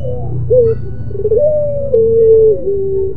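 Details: Puter pelung dove, a Barbary dove variety, giving a moaning, crying song: low, drawn-out coos that rise, fall and bend, sliding between held tones, with a steady low hum underneath.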